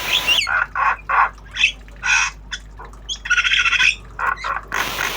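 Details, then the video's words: Javan myna singing obyogan style while learning sounds, a tame bird: loud rasping squawks and buzzy bursts in quick irregular succession, with a longer chattering stretch midway and a low background hum. "Jalak kebo Obyogan Belajar Bunyi"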